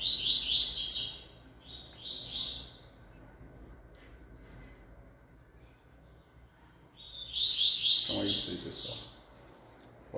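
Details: A newly acquired captive male Double-collared seedeater, black-capped and yellow-billed, recorded 3 February, gives three bursts of fast, high, twittering song phrases, the last and longest after a pause, with a faint murmur of indoor background.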